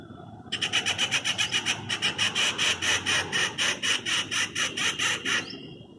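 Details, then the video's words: Treepie on a quiet afternoon, calling while moving from branch to branch, gives a loud, harsh, grating metallic rasp, about four scratchy notes a second for five seconds, like a saw through wood. "A Treepie"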